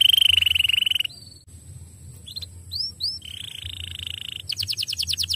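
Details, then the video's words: Canary song meant to prompt canaries into singing: a loud rolling trill, quiet pause, two arched upward whistles, a softer buzzy roll, then a fast pulsing series of repeated notes. "uma vez que vire o canário imediatamente som"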